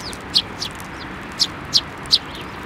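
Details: Sparrows flying onto a person's hand to be fed at a Tenmangu shrine, 28 December 2023; a handful of short, sharp high chirps spaced about half a second apart over a steady background hiss.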